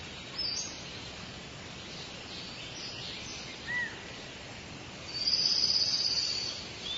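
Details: Wild birds singing in a forest: a few high single chirps, then a loud, fast buzzy trill lasting over a second near the end, over a steady hiss of forest ambience.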